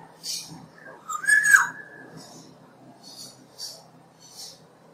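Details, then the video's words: Black-naped oriole giving one mellow, slurred whistle that rises and then falls. It is set among several short, soft hissing bursts, with a faint steady hum underneath. "Black naped Oriole bird. Bird sound."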